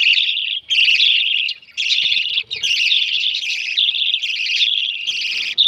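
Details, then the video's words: Baby lovebirds begging while being fed: continuous buzzy, raspy chattering calls in long bursts of about a second, broken by brief pauses, with faint low rustling between bursts. "Feeding with baby Lovebirds"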